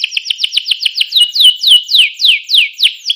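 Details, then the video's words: Canary song used to stimulate rival canaries into singing: a fast series of high, clipped downward-sweeping notes that slows into longer, looping downslurred whistles repeated about every quarter second. "Ga ada lawan suara kenari ini 99% jitu sekali membuat kenari lawan gacor"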